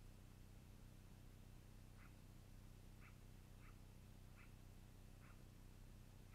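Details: Long-eared owl recorded at the nest in the evening, April 2018: five short, faint, sharp squeaks spaced roughly a second apart, set against a steady droning hum.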